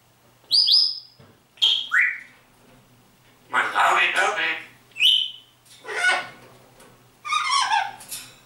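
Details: Grey parrot kept indoors imitating human speech and singing, with phrases like Grüß Gott and Servus: short whistled rising notes alternate with rough, word-like bursts, six separate utterances.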